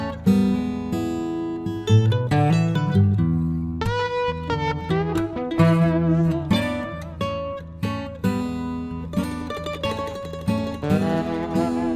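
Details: Strummed acoustic guitar music plays throughout, with no animal sounds heard.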